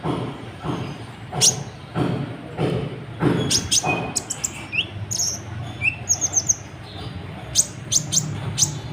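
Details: Sunbird (kolibri ninja), singing persistently with a full varied repertoire, used to stir other birds to sing: scattered sharp high ticks and brief thin trills over a steady low rumble.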